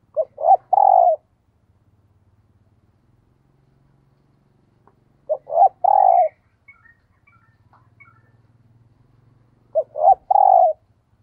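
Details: Decoy spotted dove repeating its 'thúc gù' urging coo three times, roughly every four and a half seconds. Each phrase is two brief notes and a longer low hoot, with faint higher twitters and a low hum between phrases.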